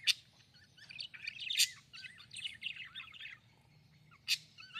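A budgerigar chatters in rapid, warbling chirps broken by sharp, clicking bursts.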